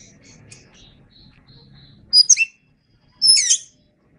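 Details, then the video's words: Singing Oriental magpie-robin from a songbird training recording: after quiet, faint chatter, two loud bursts of high, rapidly sweeping chirped notes arrive about a second apart. "Masteran Suara Kacer"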